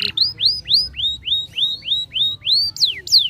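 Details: Canary singing to stimulate young canaries: a steady series of arched whistled notes, roughly three per second, ending in two sharp downward-sweeping slurs.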